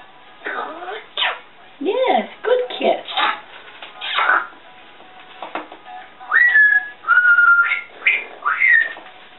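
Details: Indoor female African grey parrot chattering to herself, mixing speech-like syllables with a run of clear whistled notes, some rising and some held flat, in bursts across the recording.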